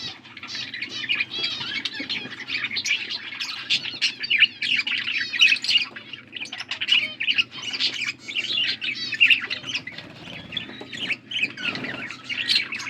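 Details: Blue budgerigars chattering while feeding each other, August 13, 2024; an unbroken stream of warbled chirps, squeaks and harsh squawks, fairly even in loudness throughout.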